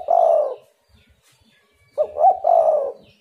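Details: Spotted dove call used as a lure so other doves respond; a long soft coo, then a phrase of two quick notes running into a drawn-out coo.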